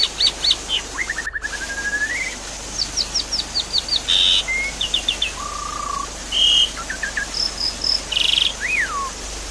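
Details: Javan pied starling singing over constant running water, meant to coax a silent bird into song: a rapid stuttering trill, then bursts of clipped whistles, flat whistled notes, harsh buzzy chunks and a falling whistle at the end.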